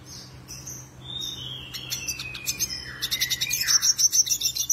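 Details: Black-headed siskin, a seed-eating bird kept in a collection and singing actively as a tutor song: varied high twittering, drawn buzzy notes and sliding whistles, then a fast rhythmic chatter of rapid repeated notes over the last two seconds.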